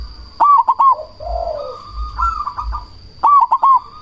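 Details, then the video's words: Loud cemani zebra dove calling to provoke other doves and stir breeding drive. A rapid burst of four clipped notes, a low drawn-out coo, a quieter rising phrase, then another clipped burst. A steady high-pitched whine runs throughout. "Perkutut cemani gacor suara BESAR pancingan ampuh bikin lawan langsung nyaut"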